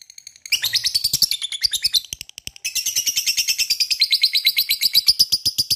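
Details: Lovebird giving a long 'ngekek' chattering song meant to provoke other lovebirds: after a short start, a fast run of shrill, evenly spaced pulsed notes, briefly broken, then a steady extended trill.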